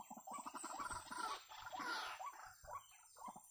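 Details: White-breasted waterhen filmed during bird trapping: a run of short, hoarse, rhythmic notes repeated quickly in a mid-pitched band, each with deep thumping pulses beneath, rising and falling in loudness over a few seconds.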